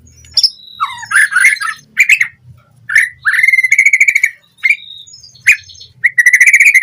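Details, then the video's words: Fast lure song of a white-rumped shama for training captive birds: varied whistles and harsh notes, with long rapid rattling trills of repeated notes and brief pauses between phrases. "Pancingan Murai Batu Cepat BONGKAR ISIAN Buat Masteran Suara Burung Murai Agar Gacor Full Isian"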